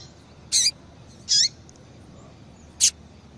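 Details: Female double-collared seedeater giving calls meant to get males singing: three quick, rasping chips within three seconds, the first two with a slurred downward ending and the last a sharp click.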